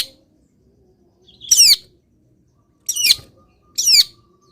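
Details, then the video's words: Caged long-tailed shrike in morning sun after misting: three separate harsh, descending squeaky notes with overtones, spaced a second or more apart, otherwise quiet. "BURUNG CENDET SANGAT BAHAGIA KETIKA DI EMBUNKAN DAN KENA MATAHARI PAGI - CENDET GACOR FULL ISIAN"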